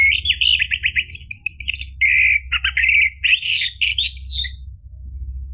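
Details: Orange-headed thrush song used to coax a caged bird into singing: a fast, continuous medley of trilled notes, whistles and downslurred chirps over a low background hum.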